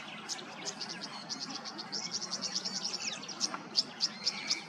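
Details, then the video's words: In Queensland wetland, a tawny grassbird gives a run of bright, high ticking notes, about two a second, growing louder toward the end, with other birds chattering faintly behind. "The most pristine sound of the Tawny Grassbird's call"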